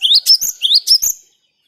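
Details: Cinereous tit song for luring birds: brief, clear phrase of four rising whistled notes in pairs, then silence.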